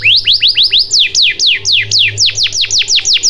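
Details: Canary song used as a lure to start silent canaries singing: a steady series of loud, steep downward-sweeping whistles, about four per second, with a low hum underneath.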